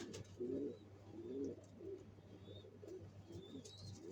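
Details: {'text': 'Quiet, muffled cooing comes from pigeons building a nest to lay eggs, in a few rolling low phrases about a second apart. Faint high chirps sound in the background.'}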